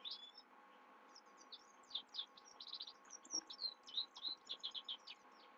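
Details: Night-time song of a Himalayan goldfinch, a lively, high-pitched twitter of varied chirps and short trills coming in uneven bursts, with a faint constant hum behind.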